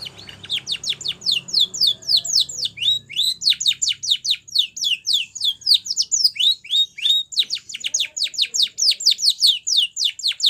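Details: Spanish Timbrado canary song used to train canaries: a long, dense sequence of quick downward-sweeping whistles, about four per second, with brief rattling bursts, over a nearly silent background.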